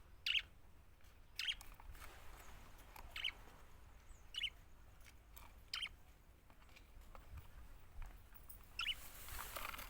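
A budgerigar gives short, bright chirps, repeated every second or so over a soft background hiss.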